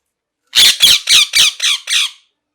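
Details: Six loud, grating parrot squawks follow one another at an even pace, each coarse and noisy, and the last two are slightly softer.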